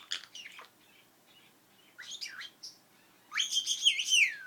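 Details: Pet female Princess parrot, a mimic of sneezing and other household noises, gives thin chirps and sliding whistles. These build into a louder, warbling, twittering run at the end.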